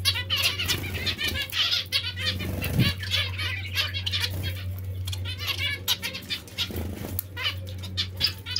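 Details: Bathing zebra finches or Bengalese finches kept as pets. A busy chorus of short harmonic chirps runs throughout, with soft thumps and splashes, a brief low voice-like sound and a background hum.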